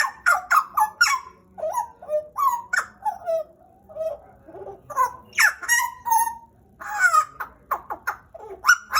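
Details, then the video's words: A pied butcherbird kept as a pet for about two years, from Papua, Indonesia, pours out varied melodious notes, falling whistles and harsh clicks in quick succession, with brief pauses between phrases. "JAGAL PAPUA GACOR"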